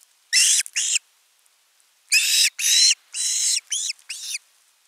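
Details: Young osprey at a nest camera on 10 August 2021, calling long for fish until an adult arrives with a whole one. Two screams, a pause, then five harsh, arching whistles in quick succession.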